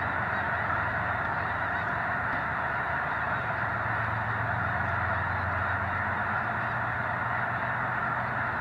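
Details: Snow geese by the thousands at Squaw Creek National Wildlife Refuge, Missouri, as a controlled prairie burn goes on nearby under blue sky and light breeze; a constant wall of mingled nasal honks fills the whole stretch.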